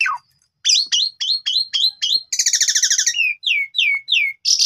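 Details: Asian pied starling singing energetically as a training lure, full of varied phrases: a falling whistle, a run of six short repeated chirps, a long harsh chattering rattle, then three descending slurred notes and a final buzzy burst.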